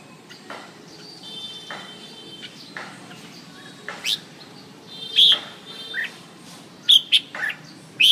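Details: Quiet faint chips at first, then a red-whiskered bulbul breaks into loud, sharp whistled notes and quick chirpy phrases in the second half, separated by short gaps.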